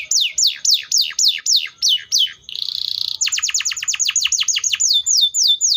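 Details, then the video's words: Canary (Serinus canaria) song of loud repeated descending whistles, a buzzy trill, then a rapid rolling run of short downslurs ending in falling whistled notes. "THE VOICE OF THE CANARIA SERINUS"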